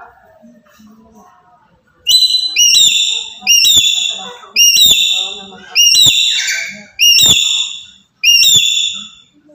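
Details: Loud calls of a black-capped lory from Papua, meant to provoke other birds: a series of high, piercing, harmonic-rich screeches about once a second, some sliding downward, with soft chatter-like sounds in the gaps.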